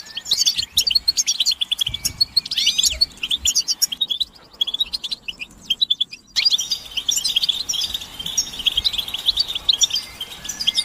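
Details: European goldfinches giving mating and readiness chatter to stimulate males into continuous song; bursts of rapid twittering with sweeping whistled notes, a short near-silent gap near six seconds, then chatter resumes.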